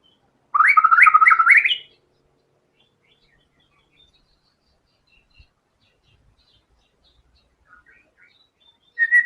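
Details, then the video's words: White-rumped shama singing vigorously with learned filler phrases: a single loud burst of quick, chattering repeated notes ending in a rising whistle, then near silence with faint distant notes before another phrase begins. "MURAI BATU GACOR‼️FULL BONGKAR SEMUA MATERI ISIAN"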